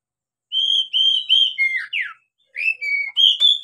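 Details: Captive-training recording of an Oriental magpie-robin: a phrase of four level whistled notes, then two quick downward slurs, a pause, and three more clear whistles ending in a sharp click.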